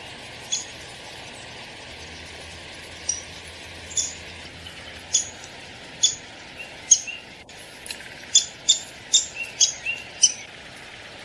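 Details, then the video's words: Downy woodpecker calling with sharp, clipped single notes, at first spaced several seconds apart, then coming faster, roughly every half second, toward the end, over a constant low background hum. "SOUND OF A DOWNY WOODPECKER"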